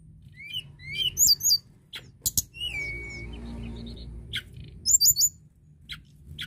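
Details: Hill blue flycatcher song of rising and falling high whistled phrases, one long steady whistled note held about a second, and short twittering clusters near the end over a low background hum.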